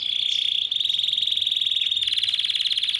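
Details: Yellow Belgian canary in full song: a loud, continuous high rattling trill that shifts to a faster, harsher buzzing pulse partway through.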